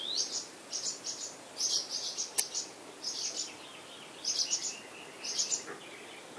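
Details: Eleven-day-old purple martin nestlings in Spring Branch, Texas, close to the camera. They give high, thin, buzzy chirps in short bursts of overlapping notes, pausing briefly between each burst.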